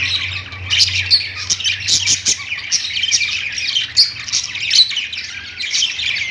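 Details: Several pet budgerigars on a perch in a pet store warble and chatter nonstop, a dense overlapping stream of high, scratchy chirps and squeaks, with a faint low hum underneath.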